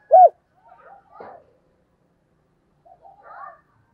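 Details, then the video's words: Spotted dove kept as a decoy bird, calling in the morning: one loud, low arched coo note, then fainter, softer cooing syllables after a pause, in an otherwise quiet setting. "Tiếng Chim Cu Mồi Gáy Gọi Vào Buổi Sáng"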